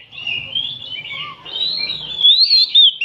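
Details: An afternoon chorus of oriental magpie-robins, used for training other birds: long, sweet whistled notes that slide up and down, growing louder toward the end, over a faint low background murmur.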